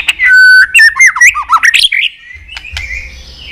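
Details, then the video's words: Caged white-rumped shama in Vietnam, song used to stimulate other pet shamas into singing and tail-flicking: loud clear whistles, a long flat note then rapid slurred twisting phrases, followed by softer thin notes. "Chòe lửa tạch liên tục.dùng Kích Chòe Lửa yếu lửa,kích bổi nhanh lên lửa hiệu quả,chòe lửa đập đuôi"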